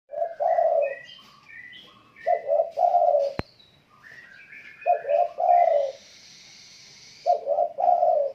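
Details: Spotted dove in active, strong song: repeated cooing phrases of a few short coos then a longer drawn-out coo, three song bouts, with faint chirps of other small birds between and a sharp click.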